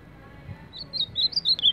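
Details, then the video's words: Ultramarine grosbeak, a champion of baderna song, launches a fast burst of clear, high, slurred whistles that rise and fall, growing louder toward the end, with a faint hum beneath. "Azulão campeão de baderna!"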